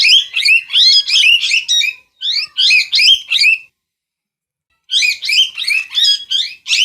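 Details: A parrot gives rapid scratchy chatter in two long runs, with a second-long silence between them. The notes are harsh, rising and falling, several per second.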